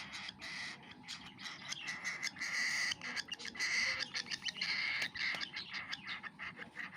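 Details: Cockatiel baby taking food, making uneven, pulsing raspy hissing calls that swell and fade, with short breaks.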